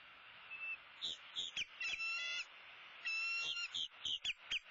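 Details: During an up-close sunrise feeding at a southwest Florida bald eagle nest, 2-6-16, shrill piping notes and chitters tumble out in two excited bursts, some notes with a wavering overtone-rich quality.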